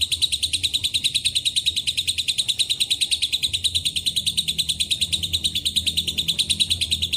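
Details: High, buzzy lovebird ngekek with Cililin and canary phrases. Very regular rapid pulses form one continuous shrill rattle throughout.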